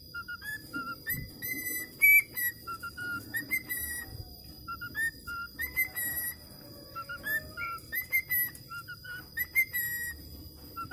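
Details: Whistle practice by a budgerigar: phrases of clean, flat whistled notes stepping between a lower and higher pitch, repeated in bursts, with short pauses and a steady high hum in the background.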